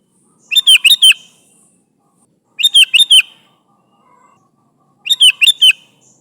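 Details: Sooty-headed bulbul, described as lively and calling its companions, in a recording meant as a lure. Clear, bright bubbly phrases of about four quick notes, repeated roughly every two and a half seconds. Quiet background, no other sounds.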